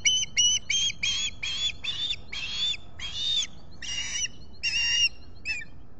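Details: Persistent squawking from an osprey at a Salt Point nest, Finger Lakes, US, 23 July 2021: around eleven strident chirping notes, growing longer in the middle of the run, ending with a short clipped note.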